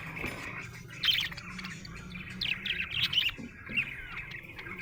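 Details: A happy budgie chirps in a steady chattering warble, with bright clicks and short squeaky notes over a constant high twittering band, and louder bursts near the first and third seconds.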